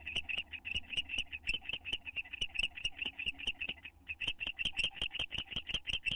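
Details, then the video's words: Owl pair in a nest box during bonding, May 9, 2011; fast repeated high chirps, a brief gap midway, then resuming at the same brisk pace, faint hum underneath. "The Owltlaws - Roy and Dale in the box bonding and kissing"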